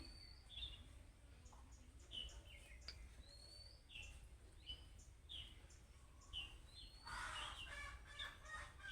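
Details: Budgerigar giving chick-like calling chirps meant to draw replies from other budgerigars: short high upslurred notes spaced roughly every half second to second, ending in a brief burst of scratchy noise, over a low hum.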